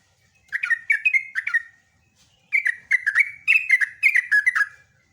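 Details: Lively bulbul song, yellow-vented, delivered as a long gacor ropelan: a short burst of three liquid slurred notes, a gap, then a longer two-second stream of repeated bubbly whistled phrases.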